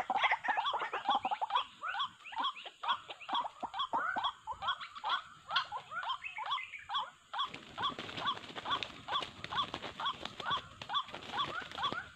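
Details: Wak wak, the white-breasted waterhen, played as a trapping lure; rhythmic harsh notes repeated about twice a second, becoming a denser, noisier chorus halfway through with a constant high hiss.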